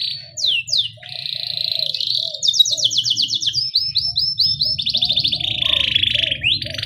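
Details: Canary in rolling 'ngerol' song with 'cuit cuit' chirps, a training lure for young canaries: quick downslurred chirps, long buzzy trills and rapid pulsed rattles running several seconds, with soft low background noise.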